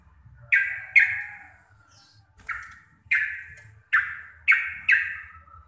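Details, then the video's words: Javanese local Sooty-headed bulbul, receh-style song: a run of seven loud, clear chirps, each striking hard then sliding down and fading, the later ones coming in quick pairs. "TRUCUKAN GACOR RECEH DURASI PANJANG"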